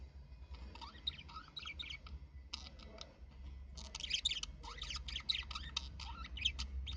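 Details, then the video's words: Budgerigar chatter: dense runs of quick chirps, warbles and clicks, rising in intensity toward the end, over a constant low hum. "طيور البادجي"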